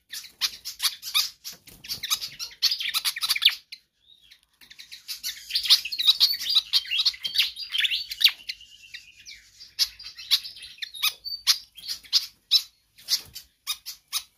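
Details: Pied fantail singing vigorously and without letup, a track for training or luring other birds; long runs of rapid high chirps and twittering, broken by a short pause, then scattered sharp notes.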